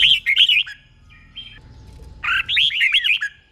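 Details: Two quick warbled phrases from a tutor red-whiskered bulbul in a cage, each a tight string of looping whistles, split by a soft hum and a brief faint note.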